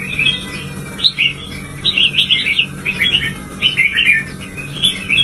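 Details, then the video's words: Caged pet red-whiskered bulbul stimulated to sing fiercely, delivering quick bursts of bright, warbled whistles in short clustered phrases, with steady low hum in the background. "Kích chào mào căng lửa"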